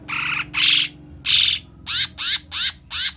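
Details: Cucak mini bulbul lure recording used to attract birds for trapping: two raspy, buzzy notes, then a longer harsh note, then four quick shrill rasping calls in a row, over a faint low hum.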